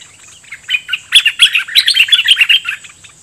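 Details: Decoy red-whiskered bulbul of the Dok Taeng style, challenging wild birds with doubled song phrases. A dense, rapid run of loud, rich warbling notes that builds quickly and holds for about two seconds.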